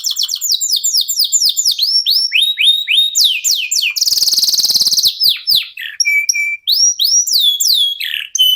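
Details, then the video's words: Canary of a local Indonesian type pouring out song meant to set other birds singing: fast cascades of downslurred whistles, a loud buzzing trill mid-way, then level whistles and more sweeping notes. "KENARI LOKAL GACOR TOTAL, SEMUA IKUTAN BUNYI..PANCINGAN AMPUH BIKIN CEPAT GACOR"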